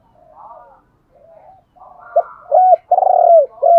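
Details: Spotted dove used as a decoy, cooing to provoke wild doves: soft, muffled coos at first, building to a run of loud, deep, rounded coos near the end.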